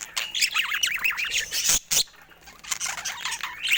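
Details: Morning chatter from pet budgerigars at play with their toys: quick undulating warbles and squeaky chirps, broken by a brief pause near the middle before bright twittering returns.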